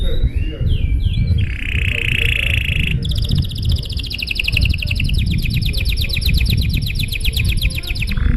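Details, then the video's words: Long showy canary song used to spur other canaries into singing: a steady whistled note, then long, rapid rattling trills of repeated notes, over a continuous low rumbling background noise. "Suara Burung Kenari GACOR PANJANG Gaya Mewah! Buat memancing Suara Kenari lain Agar IKUT GACOR"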